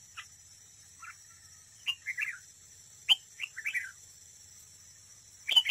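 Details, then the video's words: Red-whiskered bulbul decoy singing in contest at a trap, giving short slurred whistled phrases of two or three notes, spaced irregularly with quiet gaps between them. "Cận cảnh chào mào mồi đấu bẫy, hót đấu"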